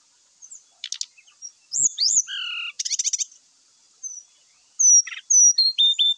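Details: Grey-chested jungle flycatcher singing vigorously with a full repertoire, used as a lure to set birds singing: ticks and a raspy chatter, layered falling whistles, a buzzy burst, then clear descending whistles repeated several times.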